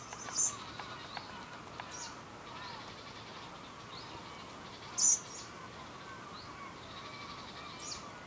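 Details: Lanceolated warblers on Christiansø, Ertholmene, Denmark, on 30 July 2012: two sharp, very high, brief call notes about four and a half seconds apart over steady background noise.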